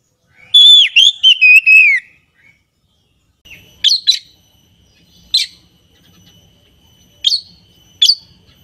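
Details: Oriental magpie-robin from a kacer keeper's collection: one clear whistled phrase with quick wavering notes, followed by spaced single sharp chips after a quiet gap.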